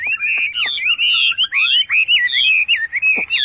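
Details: Caged Hwamei kept in a courtyard, singing excitedly after hearing other birds call: loud, rich whistled phrases that slide up and down, with quick varied notes flowing almost without pause.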